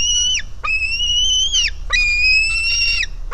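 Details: Hungry White-tailed Eagle chick begging at the nest, live camera: long, high, slightly rising whistled wails, each ending in a sharp downward slur, three calls with short gaps and low background rumble.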